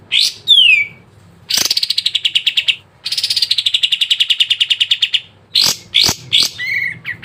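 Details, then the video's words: Sooty-headed bulbul song played to get reluctant birds singing. After an opening falling whistle come two long, rapid, buzzy chattering runs, then sharp chirps and a short whistled note. "PANCINGAN BURUNG KAPAS TEMBAK MALAS BUNYI CEPAT IKUT GACOR"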